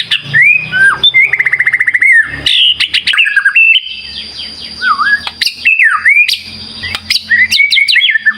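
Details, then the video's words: Varied song of a White-rumped shama used as a lure for reluctant birds: rapid trills, a fast buzzy rattle, looping slurred whistles and abrupt upward notes follow each other without pause over a faint steady high tone. "Pancingan Murai Batu Gacor"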